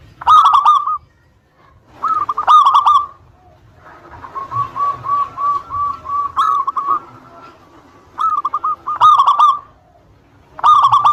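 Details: Lure song of a local zebra dove, used to make rival doves answer: repeated bubbling coo phrases about every two seconds, with a softer run of short rolling notes in between.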